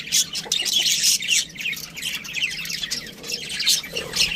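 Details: Parakeet chatter from budgies: continuous high, buzzy and squeaky twittering with dense rapid notes and loud bursts near the start.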